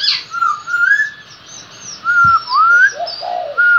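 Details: Black-throated laughingthrush (Pterorhinus chinensis) singing loud, fluty whistled phrases with rising slurs, delivered in bursts about a second apart, with a few lower warbled notes between.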